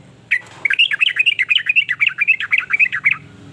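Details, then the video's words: Yellow-vented bulbul giving a varied song meant to stir other bulbuls into singing along: a fast, bubbly chatter of short, slurred notes, about five per second for three seconds, over a low hum. "ber macam" suara trucukan ini bikin trucuk lain iri jadi langsung ikut bunyi"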